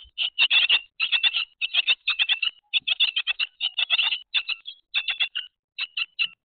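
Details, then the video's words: Noisy Grey tits give harsh, scratchy chattering calls in quick bursts of several notes each, repeated almost continuously with short gaps. "gray tits noisy"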